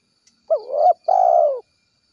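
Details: Spotted dove calling its companions: a low soft coo in two parts, a short wavering note followed by a longer steady drawn-out coo, in an otherwise quiet setting.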